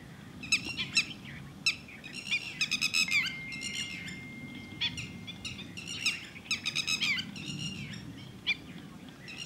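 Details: Red-wattled lapwing (Titodi) at Thol bird sanctuary, calling insistently: many sharp, shrill, harmonic notes in quick clusters and single outbursts throughout, with a thin steady tone running briefly in the middle and low background noise.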